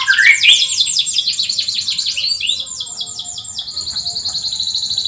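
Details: Canary singing as a lure and tutor for canaries that rarely sing: a loud, fast run of rolling trills, high and bright, sliding from a rising opening into steady rapid pulses, with a faint low hum beneath.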